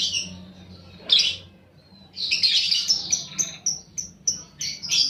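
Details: Lovebird (paud balibu, fighter type) lure recording meant to stimulate other lovebirds to sing: high shrill chirps and long buzzy trills, bursts of harsh chattering with brief pauses between phrases.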